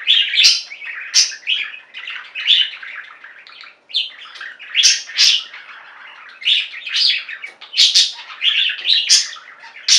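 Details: Flock of pet budgerigars singing and chirping: a dense, continuous chatter of bright, scratchy warbled notes with sharp high chirps, rising and falling in short bursts, briefly quieter near the four-second mark.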